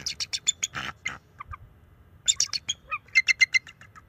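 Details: A young male bald eagle defends the nest beside its mate against an intruding owl, March 7, 2024, nest camera; rapid staccato series of high, sharp chattering notes, about four per second, in two bouts separated by a pause.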